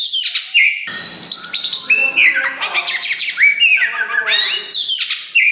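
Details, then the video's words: Loud caged Oriental magpie-robin (Kacer wulung) sings varied phrases: harsh rattling bursts, sweet downslurred whistles and short trills, with faint low background rumble. "KACER WULUNG RAJA LANGKA GACOR DOR !! BARU DORONG EKOR TAPI GACOR SUARA KERAS TOA || VOICE OF KACER"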